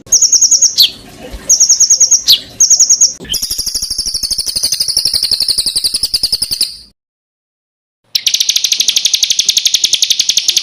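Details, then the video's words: Spliced masteran recording of varied songbird fills: short high whistled bursts, a long buzzy rattling trill, a gap of silence, then a dense continuous high trill. "BURUNG FULL ISIAN TEMBAKAN"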